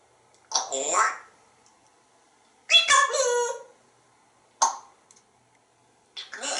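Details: Talkative male African grey parrot kept at home in Texas, speaking four short word-like bursts separated by pauses of one to two seconds, with harmonic, voice-like tones.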